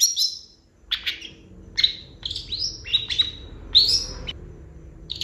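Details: Varied Long-tailed shrike song with mimicked phrases: short clear whistles and buzzy notes spaced by brief pauses, a few sliding downward, one stronger rising note near the end, with a quiet hum beneath.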